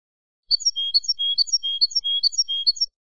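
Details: European goldfinch singing in the ancestral Málaga style, for teaching young birds: a steady, repeating motif of sharp high chips and short level whistles, cycling about six times in under three seconds, in a quiet setting.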